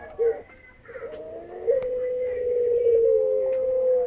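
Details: Courting puter pelung dove from Indonesia, addressing its female: a short note, then a rising swell into a long, steady, slightly buzzing low coo held to the end; soft clicks and faint background voice.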